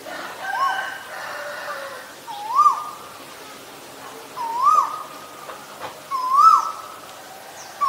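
An Asian koel gives clear, rising whistled notes about every two seconds, over a steady faint background drone.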